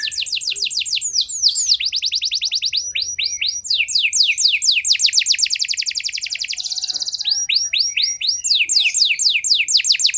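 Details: Canary lure song for canaries in poor condition: a continuous, dense run of high, rapid trills and repeated slurred notes, shifting between tight buzzy rolls and slower sweeps, with a short sharp burst near the middle.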